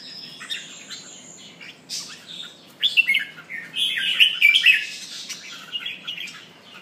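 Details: Red-whiskered bulbul pumping and singing. Scattered high chips build into a long, loud, bubbling warble in the second half.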